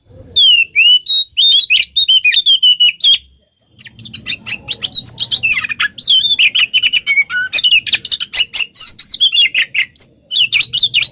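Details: Oriental magpie-robin singing as a lure to provoke other magpie-robins to respond: dense, rapid stream of rich whistles, slurred rising and falling notes and scratchy chips, with a brief pause and faint low background rumble.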